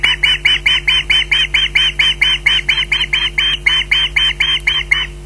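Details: Osprey at the nest, waiting for food, giving a steady run of loud, sharp squawks, about four a second, each short and clipped, over a faint constant hum.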